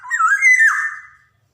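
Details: One mellow, flute-like phrase from a Javan black-naped oriole, meant as a training recording for young birds: a smooth whistle that wavers up, then slides down.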